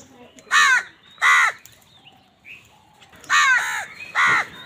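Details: Crows calling while fighting wild birds for food: four loud, harsh caws in two pairs, each about a quarter second long, with faint chirps from other birds in the quiet gap between.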